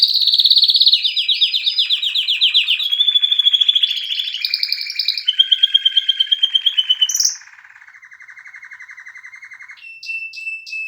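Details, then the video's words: Canary in full song: loud, rapid, high rolling trills change pitch step by step. A softer, steady, lower buzzing roll follows, then a few brief high repeated notes close the passage. "کنری مست/خواندن کناری مست/قناری با صدای عالی/KANARYA sesi"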